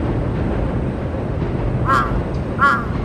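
A crow gives two short, harsh, nasal calls about a second apart, odder than a usual caw, over a steady low rumble of traffic or wind.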